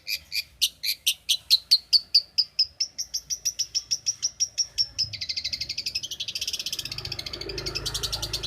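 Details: Long-tailed shrike, champion bird from Banyuwangi, Indonesia, played to train songbirds: a long even series of clipped high notes that speeds up and rises in pitch, then turns into a fast buzzy trill over quiet background rumble.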